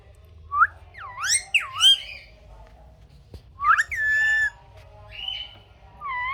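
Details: Pet parrot producing swooping whistled notes and rough squawks, with a sustained buzzy screech and a falling whistle at the end.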